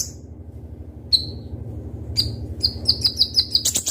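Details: Konin, a ruby-cheeked sunbird, in lively sharp song: after a near-silent pause, single high descending notes build into a rapid even series of sharp chips, about three per second, ending in a twittery burst.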